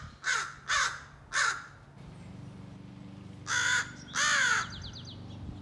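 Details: Practising scolding and territorial calls, a young American crow gives three short raspy caws, then two longer drawn-out caws; a thin high chirping of another bird follows at the end, with a low hum beneath.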